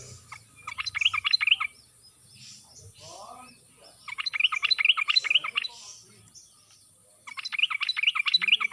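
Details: Sooty-headed bulbul in wild-style song, played as a lure to prompt silent, reluctant birds to sing: three bursts of rapid, bright chirping notes, each about one and a half seconds long, separated by short pauses.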